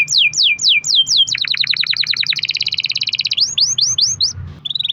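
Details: Long-rolling canary song to prompt other canaries: loud descending whistled sweeps, a fast pulsed trill becoming a dense rolling trill, then rising swept notes and a brief flat whistle.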